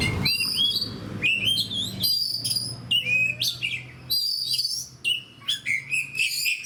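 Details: Fighter kacer, oriental magpie-robin, with crisp high whistles falling and rising in short phrases, each separated by brief pauses, plus scratchy notes and a faint low hum behind.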